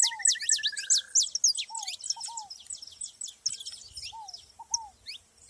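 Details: Saffron finches heard together in nature, pouring out a fast jumble of bright, high chirps and slurred notes after an opening rapid trill of even, repeated notes, with lower paired whistles from another bird.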